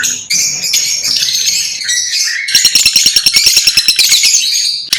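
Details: Lovebirds chirping and singing: dense, high, rapid chatter of squeaky notes, then a run of sharp rhythmic clicks and twitters repeated several times a second, with overlapping voices suggesting more than one bird.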